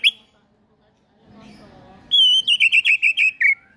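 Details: White-rumped shama used as a morning lure to make birds sing; a brief high note, a faint low murmur, then a bright run of about eight short whistled notes that step slightly downward.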